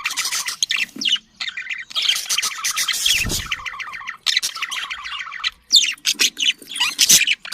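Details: Budgerigars chattering for breeding stimulation: long run of buzzy, rattling warble with rapidly repeated ticking notes, then scattered sharp chirps toward the end.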